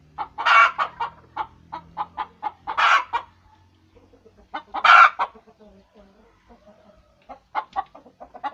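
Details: Egg-laying hen cackling: bursts of quick clucks topped by three loud rasping squawks, with a quieter stretch of soft, low clucking between them.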